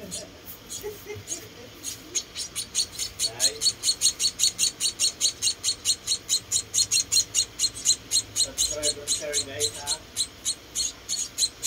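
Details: Four rescued munia chicks being fed call with rapid, high, squeaky chips, over two per second and growing louder and denser, while a person's voice is heard briefly near the start and the middle.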